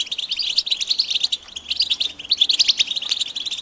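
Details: Goldfinch mating and readiness calls (betbeta) meant to prompt a silent male to sing: high, scratchy twittering in rapid clusters with brief quieter gaps between phrases.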